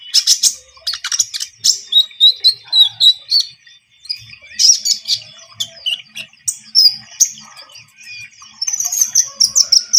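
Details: Energetic Javan munia song meant to attract birds for trapping: long bursts of rapid, sharp high chirps and buzzy trills, each run lasting a few seconds with brief pauses between.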